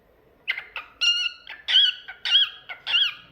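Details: Talkative pet cockatiel singing a rapid run of loud harmonic whistled notes, some rising and some falling, repeated about twice a second in a quiet indoor setting.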